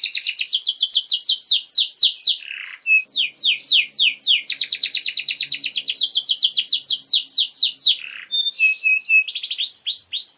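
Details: ['Master canary song for training young birds, long and energetic: quick downslurred trills, a short dip, then a long run of rapid rolling notes, ending in brief clipped notes and rising whistles; a faint low hum sits beneath.']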